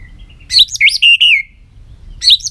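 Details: White-rumped shama singing: a brief bright phrase of a looping whistle followed by two clear, level sustained notes, then the phrase starts again.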